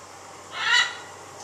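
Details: A neighbourhood bird keeps up its kwaak calls in the morning, January 2014: a single broad, raspy squawk swelling and fading within half a second, steady hiss behind it.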